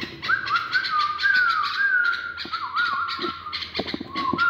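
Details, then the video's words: Pet bulbul in song during mating training, giving a continuous run of whistled notes that slide up and down and waver, with scattered clicks and ticks behind it. "تغريد بلبل أليف"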